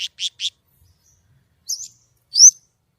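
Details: White-rumped shama singing clearly: three quick, high, buzzy notes, a pause, then two slurred rising whistles.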